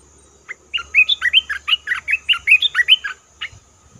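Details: Red-whiskered bulbul lure call for trapping: a lively run of about fifteen rapid, whistled chirps rolling up and down, each note clear and bright.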